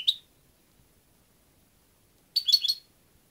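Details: European goldfinch with one quick bright chirp, then after a two-second pause a rapid cluster of three or four tinkling, twittery notes. The background is silent.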